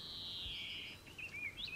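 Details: A Mistle Thrush sings in woodland in early summer, with beetles out at dusk nearby: a drawn-out, high, slightly falling whistle, then brief fluty phrases in quick succession over soft outdoor noise.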